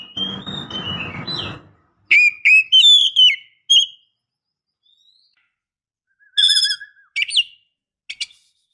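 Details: Female oriental magpie-robin calling to a male: a harsh rasping burst first, then clear high whistled notes, some sliding upward, in short spaced groups with long pauses.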